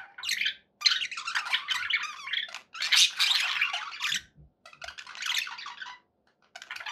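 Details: Budgerigars sounding happy indoors: long runs of rasping, twittering chatter with squeaky notes, broken by short pauses, with faint low knocks in the background.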